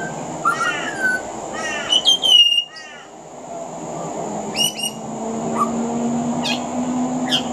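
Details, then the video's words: Pied butcherbird singing from a veranda in Australia, mimicking other Australian birds: descending slurred whistles and sharp notes early, a brief lull, then scattered high chirps over background hum. "Mimicry of the pied butcherbird"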